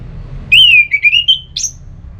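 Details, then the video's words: Orange-headed thrush in the ngeplong song style, played to stir another bird into singing: one clear whistled phrase, first falling, then wavering and climbing, ending in a sharp high note, over a low background hum. "ANIS MERAH LOYO Bakal SONTAK NYAUT GACOR dan EMOSI dengar Kicauan Ngeplong ini"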